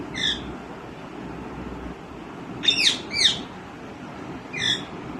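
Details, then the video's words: A green rose-ringed (ringneck) parakeet, said to be talking and calling, gives four harsh, shrill screeches spaced over five seconds, two close together in the middle, against a quiet indoor hum. "Green Ringneck Parrot Patha Start Talking & Calling Different Natural Sounds"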